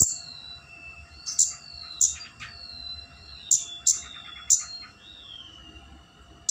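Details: Flowerpecker rival-luring call: sharp, piercing ticks, some doubled, scattered through the stretch, mixed with long thin descending whistles from other birds and a steady faint hum.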